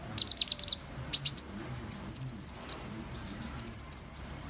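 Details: Van Hasselt's sunbird song: high, thin notes in fast trills of sharp ticking chips, delivered in several bursts with short pauses between them.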